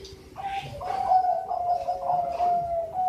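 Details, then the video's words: A Bangkok zebra dove from Sidoarjo, East Java, gives a long low steady coo that rises slightly, over a hissy noisy background. "Suara Merdu Perkutut Bangkok"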